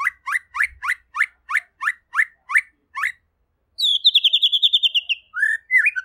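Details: White-rumped shama (murai pastor) singing in lively, clear gacor style: a run of eleven short, sharp chirped notes roughly every third of a second, a pause, then a fast high rattling trill and lower slurred whistles.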